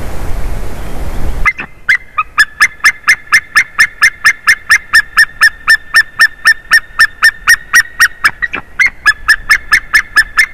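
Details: White-tailed eagle recorded 30 March 2019 at 14:43 during a changeover on a favourite tree; a long run of sharp, yelping notes near 2k, about two per second, after a burst of rushing noise.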